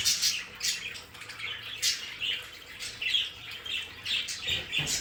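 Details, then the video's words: Short squeaky chirps and rasping warbles from several pet budgerigars in a play area come in clusters roughly every second, over a quiet low hum. "Sonidos de periquitos Australianos"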